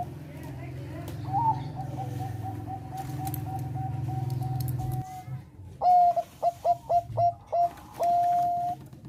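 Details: Zebra dove, Bangkok type, singing a melodious song meant to raise breeding drive: soft repeated coos over a steady low drone at first, then a loud, rapid series of short staccato notes ending in a sustained rolling coo.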